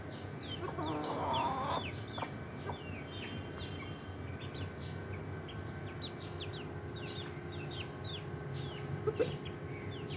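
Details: Domestic chickens, a rooster, hens and chicks, kept on a small home farm; rapid high chick peeps repeat over a steady low hum, with a brief louder cluck near the start.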